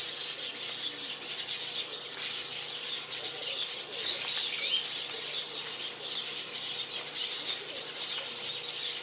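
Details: A flock of Japanese waxwings crowding a dead persimmon tree in a garden gives thin, high, lisping trills that overlap continuously, with soft wing flutters and a faint steady hum underneath.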